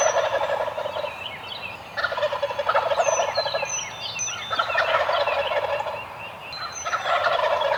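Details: Several Eastern wild turkeys on the roost at dawn gobble in turn, four rolling, guttural bursts close together, overlapping, while songbirds add sharp, falling whistles in the background.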